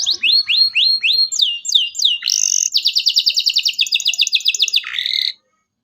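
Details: Local canary in emotional 'cuit cuit' style, used to coax young canaries into song: evenly spaced rising high whistles, a brief bright flourish, then a long rapid pulsing trill that drops in pitch and stops abruptly.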